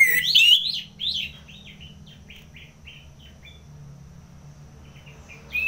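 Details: Orange-headed thrush, ngeplong song style, from Singaraja in North Bali, used as a tutor and trigger song for fighter birds: loud buzzy rising-falling phrases in the first second, then faint scattered whistled notes, over a low steady hum.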